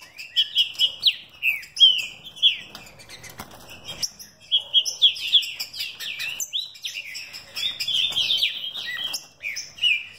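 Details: Green-winged saltator of a bred mutation line, caged, delivering a fast, forceful song: two long runs of bright whistled, slurred phrases separated by a short gap, each phrase rising then dropping.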